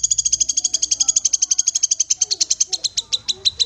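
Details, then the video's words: Black-capped babbler giving a long unbroken trill of sharp, high, ticking notes, at first fast and buzzy, then slowing and spreading into separate clipped notes toward the end. "Kinoi Bahan Langsung Bunyi Dengar Suara Call Kinoi ini"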